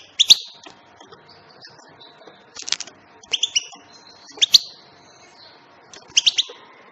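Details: European goldfinch giving short bright twittering bursts of high chirps, five clusters spaced irregularly over seven seconds with quiet gaps between them; faint low background hum.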